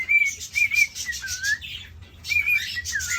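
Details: Courting male cockatiel kept in a cage, showing interest in a female, gives bright level whistles followed by a long falling-then-rising slur, a brief pause, then the pattern again with rasping noise over it.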